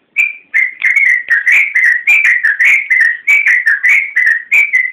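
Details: Yellow-vented bulbul in lively full song, used as a training master for caged birds. Short rich whistled phrases repeat almost every second, each slurring down slightly, in a steady clean run.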